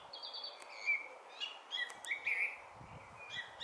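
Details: Brighton Song Thrush, June 2020: a brief run of fluty whistled and trilled notes at varied pitch, with a few sharp clicks and low rustling near the end.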